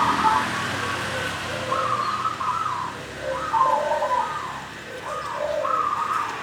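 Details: Local zebra dove, caught from the wild, delivers a continuous rolling song described as ngacor, ndelosor, ngorok and koar koar. Paired low and higher cooing phrases repeat in clusters with brief pauses.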